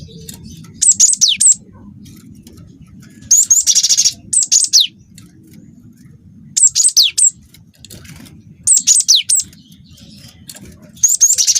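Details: High, penetrating song of a young cinereous tit in full voice, used to provoke other birds into singing: five repeated bursts of shrill notes with falling sweeps and rolling trills, spaced roughly two seconds apart over a faint low hum.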